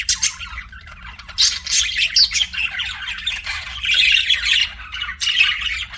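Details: Pet budgerigars chirping: continuous scratchy warbling and squawks, swelling into a louder, denser passage toward the end, with sharp high notes scattered throughout and a low background hum.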